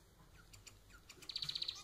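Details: Domestic society finch kept as a pet: faint clicks and ticks open, then a fast burst of eight or so high, tightly spaced buzzy pulses near the end.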